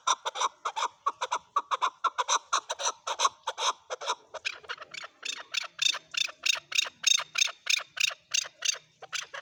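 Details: Male chukar calling, a long fast series of harsh clucking notes, roughly three per second, growing louder and sharper toward the end of the run.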